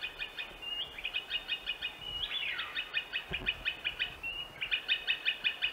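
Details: Green Sandpiper in Central Russia giving anxious alarm calls: rapid, evenly repeated short piping notes, nearly three per second. Brief steady whistles and one downward-slurred note break the series, with faint low background noise.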